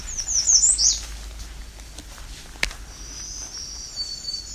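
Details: American Redstart at a Bruce Peninsula nature reserve (Alvar Bay) on a summer early morning: a quick run of very high, thin, sharply slurred notes, then a fainter high drawn-out note, an unusual ending for a redstart, over low hum.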